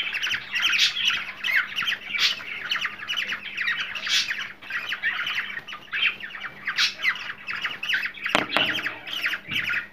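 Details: A ten-second stream of buzzy, screechy cockatiel calls said to trigger mating behaviour, steady and busy throughout, with a brief knock near the end and constant low hum.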